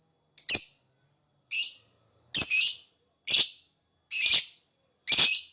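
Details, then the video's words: Lakbet, singing vigorously as lure sound: six scratchy, high rasping notes at irregular spacing, some doubled, about one per second, over a thin unbroken high tone. "Burung lakbet, gacor buat pancingan suara lakbet"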